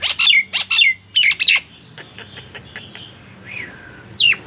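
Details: Nias hill myna song intended to prompt silent mynas to sing: several loud squawky whistles, then softer clicks, a faint rising-falling whistle and one sharp descending call.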